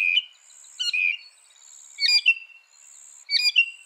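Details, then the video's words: Northern mockingbird giving varied short song phrases, each a sharp burst followed by a warbled whistle, spaced about a second apart, over a faint high steady tone. "Masteran Burung Kicau Mockingbird Gacor - Mockingbird Bird Sound"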